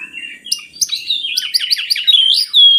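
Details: Oriental magpie-robin song meant as a lure for lazy birds: a short whistled phrase, then a quick series of sharp chipping notes, ending in a clear, loud sustained whistle.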